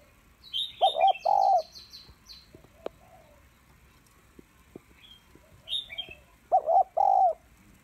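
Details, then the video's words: Female spotted dove coos to stimulate males: two bursts of deep, throaty cooing, each of two or three quick pulsed notes, about five seconds apart. Thin high chirps and trills from other small birds fill the gaps. "Cu gáy mái kích trống/ tiếng cu gáy mái kích trống hay"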